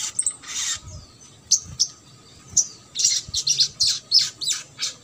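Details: Crimson sunbird singing in the trotol style, a recording meant to stimulate silent or lazy birds into song: high, thin chirps and short buzzy bursts, irregularly spaced, with sharp bright notes clustered toward the end.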